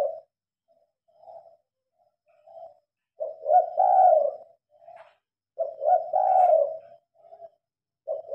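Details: Night-time spotted dove calling with lights on, recorded on a phone; soft low coos alternate with two loud phrases of a short note and a long rolling coo, about two and a half seconds apart.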